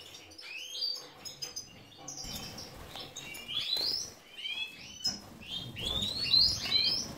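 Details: European goldfinch, subspecies major, bred in captivity in Ioannina, Greece, sings a lively run of rapid rising twittered notes that grows denser and louder toward the end, with faint rustling underneath.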